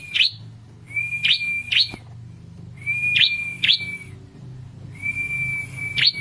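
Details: Song of a red-headed prinia meant to agitate rival birds: steady high whistled tones cut by sharp buzzy chirps, in three phrases spaced about two seconds apart.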